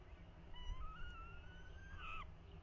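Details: Falcon chicks at their nest in 2023 while the male tries to feed them: one long, drawn-out whining note, rising slightly and held for about a second and a half, then ending in a short sharper squeal. Steady low rumble underneath.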